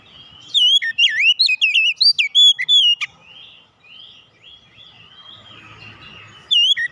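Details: Oriental magpie-robin (kacer) song, played to coax a silent kacer into singing: a rapid run of loud, varied whistled notes, rising and falling sweeps and trills for about two and a half seconds, a quiet pause, then another burst.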